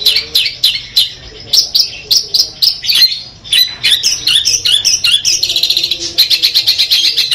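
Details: Long-tailed shrike of the Madura type, a kept songbird, singing a 'full Armagedon' repertoire: sharp chirped notes repeated about three per second, then varied whistled and scratchy phrases, ending in a fast rattling series of notes.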